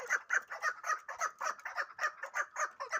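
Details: Hybrid fighting chukar partridge calling: a steady run of harsh, clucking chuk notes repeated about four times a second, even in rhythm, with no other sounds heard.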